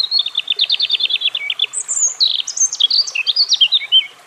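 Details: European robin song: a steady run of descending high ticks, followed by thin piercing whistles and a tumbling series of high warbled notes.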